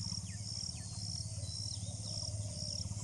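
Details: Deep pulsing notes from a cinnamon bittern repeat steadily about twice a second, set against a shrill continuous insect drone and scattered downward-sliding chirps.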